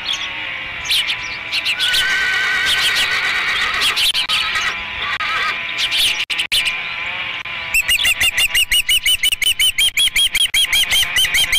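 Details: Osprey at a nest at Dunrovin Ranch, 30 May 2016, during the third feeding; a burst of high, arched whistled chirps repeats rapidly, nearly three per second, in the second half, after a first part with dense overlapping chirping.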